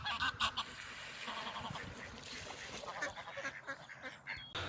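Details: A goose, described as angry-looking, that wandered into a clip of ducklings filmed in spring in York gives a run of harsh, nasal honks, several in quick succession over a few seconds, with a low background hiss.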